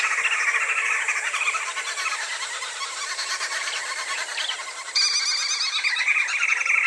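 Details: A flock of social Green Wood Hoopoes in a forested area of sub-Saharan Africa gives a dense, excited cackling chatter, many harsh notes tumbling over one another for several seconds without a pause.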